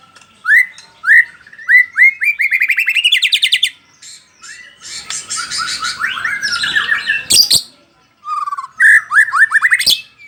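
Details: White-rumped shama of the Bahorok type, a kept songbird, singing from one spot: rising whistled notes repeated about every half second, then a fast trilled run and rich warbled phrases, with two sharp clicks.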